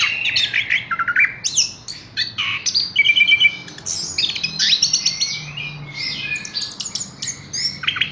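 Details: Horsfield's bush lark singing a rapid, varied run of sharp chirps, short whistled slurs and buzzy notes, mostly high-pitched, with brief pauses between bursts and steady low background hum.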